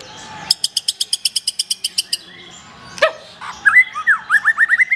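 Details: Black-tailed white-rumped shama in song: a rapid train of about a dozen sharp ticks, then a short pause and a swoop, followed by a run of quick rising whistled notes.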